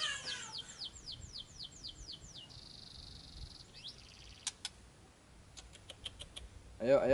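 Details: Murai calling to provoke a reply: a run of quick downward-sweeping notes, a buzzy sustained note, scattered clicks, then a man's voice at the end.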